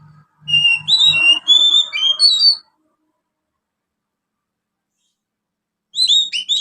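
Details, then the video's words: A young Oriental magpie-robin gives rapid, high whistled and chirpy notes mimicking house sparrow, with a soft low hum beneath. A pause follows, then a further burst of sharp chirps. "Kacer Muda ngriwik Isian burung gereja."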